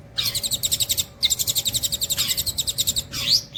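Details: Long-tailed shrike in nembak cililin style, singing nonstop. Fast harsh chattering trills with notes pulsing several times a second, broken by brief gaps and a final rising whistle.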